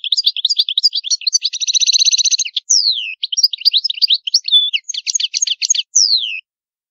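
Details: Palermo Sicilian goldfinch in full old-style song, recorded without background noise: dense tinkling twitter leading into a rolling buzzy trill, followed by descending slurred whistles and repeated jangling phrases.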